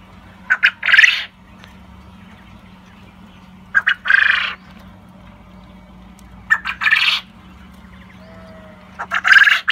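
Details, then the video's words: Black coturnix quail crowing non-stop with its companions, a harsh three-part phrase of two brief clicks and a longer raspy burst, repeated about every three seconds over a faint steady hum. "Black coturnix quail crowing with it friends. Non stop crowing for 2 minutes."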